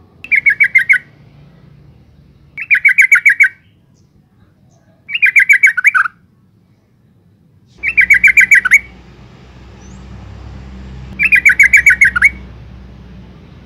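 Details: Female yellow-vented bulbul calling to provoke males: five evenly spaced bursts of rapid bubbly chattering, each about a second long and roughly every two and a half seconds, background hiss rising toward the end.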